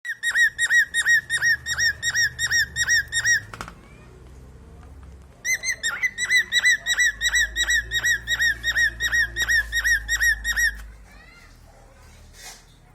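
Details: Male cockatiel singing: a fast series of clear, bright whistled notes in two bursts with a brief pause between.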